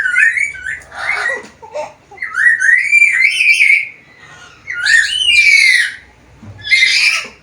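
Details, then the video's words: Black-capped lory, a vocal tutor bird said to talk, gives a varied stream of sliding whistles, warbled phrases and raspy squawks, with short gaps between bursts. "BURUNG NURI KEPALA HITAM GACOR BISA NGOMONG SUARA BERVARIASI"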